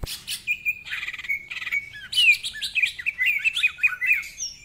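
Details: Loud greater green leafbird song, rough in tone, used for luring and training birds: harsh buzzy bursts at the start, then steady whistled notes and a fast sequence of sharp, slightly descending chirps.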